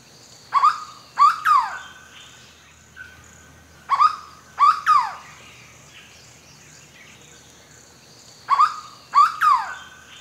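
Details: Hooded berryeater (Carpornis cucullata) song: loud, rich three-note phrases with a sliding, slurred middle, repeated every three to four seconds after long intervals, against a quiet background.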